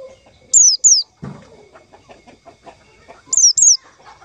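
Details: White-eye call used as a lure for trapping white-eyes: two pairs of sharp, high, falling whistled notes, each pair quick and clipped, with a pause between pairs and faint soft chatter in the background.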